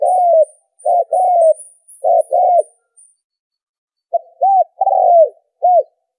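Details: Spotted dove cooing, a call used to lure wild doves for trapping: clear low hollow coos in groups of two or three, a silent gap of over a second, then another series of rounded coos, no other sounds.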